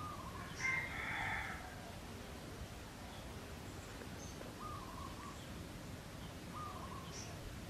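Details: Wild chicken near a pagoda by Teuk Chob Khnar Po Community Forest in Siem Reap, Cambodia: a single far-off crow early on, hoarse and drawn out, then faint clucking notes amid constant low-pitched ambient noise.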